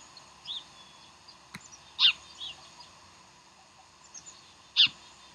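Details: Bald eagle at Decorah on the morning of 15 January 2012: scattered faint high notes and a sharp click, then two loud, shrill chirps nearly three seconds apart over continuous hiss.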